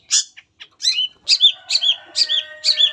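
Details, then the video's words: Long-tailed shrike (cendet) singing its full repertoire as a lure for other shrikes: a series of short high notes, each ending in a sharp upward-curving whistle, repeated about every half second over a faint steady tone. "PANCINGAN CENDET APAPUN CEPAT BUNYI"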